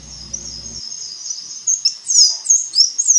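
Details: Black-chinned mountain tanager of Colombia and Ecuador singing a fast, high-pitched jumble of thin twittering and sliding notes that grows louder in the second half, after a brief low rumble at the start.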